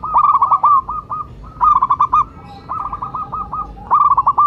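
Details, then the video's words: Zebra dove of local Indonesian stock, an actively singing champion, calling as a lure for other birds: four quick runs of clipped, rolling coo notes, each burst about a second long, separated by short pauses. "Perkutut lokal gacor jawara pikat dan pancingan nada suara panggilan"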